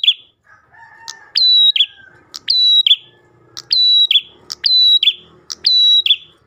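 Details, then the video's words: Ash tailorbird singing to lure other tailorbirds: a sharp click, then a long high steady whistle dropping into a brief buzzy note, repeated about once a second, with a fainter lower whistled tone early on. "PRENJAK GACOR pancingan burung prenjak lain"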